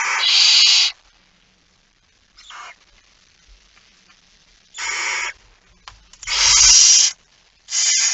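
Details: At 23:55 on 17 September 2019 a male barn owl arrives with a mouse; loud, drawn-out hissing screeches up to a second long come in irregular bursts, with a softer one between and faint low rumbling.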